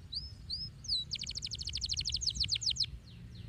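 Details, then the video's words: Canary giving a couple of soft whistled upslurs followed by a fast, even trill of bright repeated notes, with noticeable low background noise. "أي كناري يجب أن يسمع صوت هذا الكناري"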